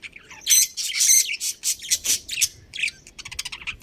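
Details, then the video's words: Colony budgerigars, a breeding pair, chirp in a fast, raspy, high warble that runs into a string of short notes, then trails off in softer stuttering chatter. "Cute Budgies Chirping Sounds"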